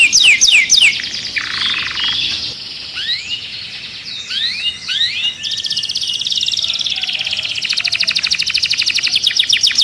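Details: Agitated male canary in a cage gives a loud, fast song of high trills, rising and falling whistled sweeps and rapid rattling phrases, with nothing else heard; canary song.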